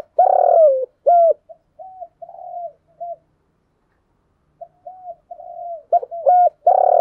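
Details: Decoy spotted dove cooing to stir wild doves into cooing and coming to fight: a loud opening coo and a short coo, then softer low notes. A silent gap follows before another loud phrase starts.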